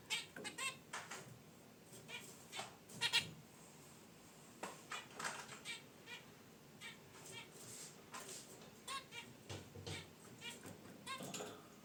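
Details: Pet zebra finches in a cage beside a wicker basket nest keep up a steady scatter of short, nasal honking chirps for twelve seconds, with soft rustling between calls.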